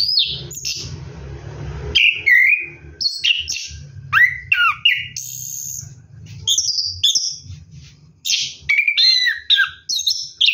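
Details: Orange-headed thrush singing at night while bathing, a continuous rolling 'ngeroll' song of varied whistled phrases, sharp chirps and rising and falling notes in quick bursts, with a low rumbling hum underneath at the start.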